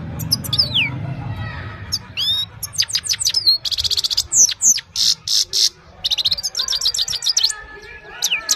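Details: Evening singing from a Himalayan goldfinch, recorded by phone: scattered high twitters build into harsh buzzy bursts and rapid trills, then sweeping descending notes, over a soft low rumble.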